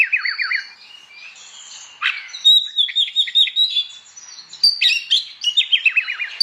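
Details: Oriental magpie-robin singing loudly in the morning in ngeplong style to provoke other magpie-robins; starts with a rapid wavering trill, then soft whistles, a run of high chirps, and ends on another quick zigzag trill.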